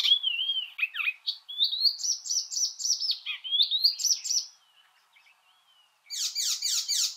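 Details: Icterine Warbler song of clear whistled slurs and squeaky, jangling notes, then a brief quiet gap before a burst of harsh, repeated downward-sweeping scratchy notes at the end.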